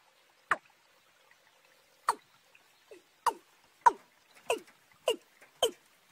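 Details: Watercock, a young bird paired with a wild field bird, recorded in March: sharp, downward-sweeping clicky notes, irregularly spaced, about seven in six seconds, with faint softer notes between them in a quiet setting.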